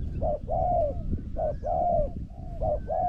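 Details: Spotted doves in a decoy-versus-wild-bird encounter; clear mellow coo phrases pairing a short note with a drawn-out rolling coo, repeated three times, set against continuous low background noise.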